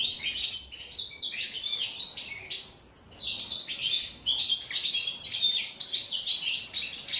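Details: Caged European goldfinch, offered cucumber, giving the original wild-type song known in Morocco and Algeria. The song is a loud, dense, fast twittering of high buzzy and tinkling notes with a brief pause near three seconds.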